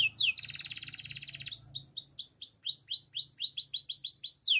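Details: Russian canary singing: a fast buzzy trill, then a run of rapid upward-swept whistled notes, repeated about four times per second, with a low steady hum underneath.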